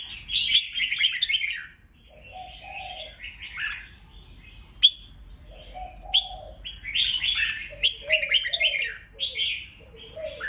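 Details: Red-whiskered bulbul singing the rapid 'ché' fighting song meant to stir up rival birds: high, scratchy warbled phrases broken by pauses, with some lower, mellow notes in between.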